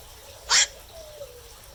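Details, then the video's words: A single loud, grating kwak from a black-crowned night heron at night, followed by a faint thin drawn-out whistle in the background. "เสียงนกแขวก นกแขวก (กลางคืน)"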